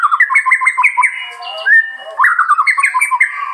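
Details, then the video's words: Continuous varied warbling from a murai, with fast rising and falling whistled phrases and a brief pause before another busy burst of melodic notes. "kicauan burung, murai"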